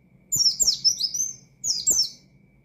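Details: Rich, buzzy warbling from an Oriental white-eye whose 'ngalas' song provokes rivals: two bursts of tangled, very high sliding notes, the first longer, over faint low taps.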